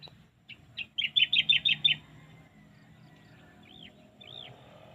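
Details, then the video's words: Bird singing: a few scattered high chirps speed up into a rapid burst of about six bright, even notes, followed by a faint long whistle and two separate arched, slurred notes over quiet low background hum. "natural sounds of birds shirping they're singing"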